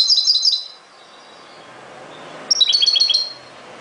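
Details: European goldfinch giving two bursts of rapid, liquid twittering, high, bright notes in quick runs of about five or six, separated by a quiet pause with faint hiss.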